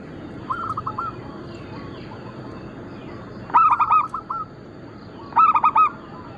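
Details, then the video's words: Group of zebra doves, local and Bangkok-cross types, recorded singing as lure and tutor material. Soft distant cooing, then two loud bursts of rapid, bell-like staccato notes a couple of seconds apart. "Perkutut lokal gacor - Pintar Mengundang Bunyi semua jenis burung kutut Lokal bangkok crossing"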